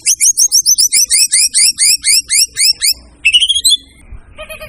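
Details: White-rumped shama delivering a fast series of about a dozen sharp, downslurred high notes in steady rhythm, followed by a brief pause and a shorter trilled phrase.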